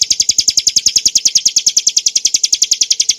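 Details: Hill prinia song for training and stimulating cage birds: a fast, steady run of sharp, high chirping notes repeated several times per second, with a rhythmic low ticking under each note.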